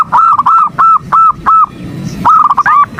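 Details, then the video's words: Female zebra dove calling a male to stir it into calling: a few spaced, clear, slightly rising-falling notes, a short pause, then a faster rolling burst. "Terapi pagi PERKUTUT ‼️ Sekali BUNYI yang malas BUNYI jadi BUNYI."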